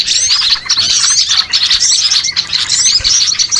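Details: Calling small birds from a lure track that brings birds together for trapping; high sliding whistles and dense twitters ripple in bursts, with slight lulls roughly every second.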